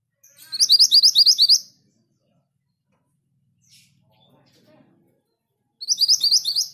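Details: Orange minivet song: a rapid string of high, sharp, bouncing chirps lasting over a second, then several seconds of near silence before another fast chirping burst begins.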